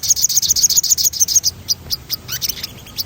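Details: Crimson sunbird ripping out a fast, rolling high trill of evenly spaced bright notes, then breaking into scattered squeaky chips, used as a stimulus to make other birds sing.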